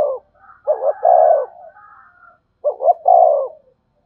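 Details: Spotted dove cooing to lure in wild doves quickly. Two loud phrases two seconds apart, each a stuttered double note and a long even coo, with a faint higher cooing bird in between.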